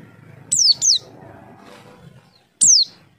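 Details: Javan white-eye calling as a lure to draw answers: two quick high downslurred whistles, a pause, then one longer falling whistle, crisp and clear.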